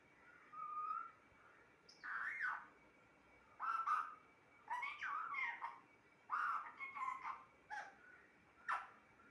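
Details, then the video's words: Pet parrot talking indoors, short speech-like phrases with shifting, whistled tones delivered in separate bursts about every one to two seconds, with quiet gaps between them. "Talking parrot"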